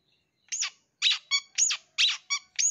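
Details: Mimicry-rich long-tailed shrike song meant to lure young wild-caught birds: loud harsh squeaky notes sweeping down then up, alternating with short stacked nasal tones, six bursts in under three seconds.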